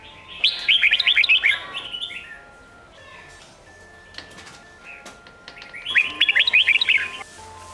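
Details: Sông Kôn-style song of a red-whiskered bulbul, played to train competition singing in young birds: two loud, rapid, chattering warbled phrases separated by soft scattered notes and clicks, with a faint continuous hum.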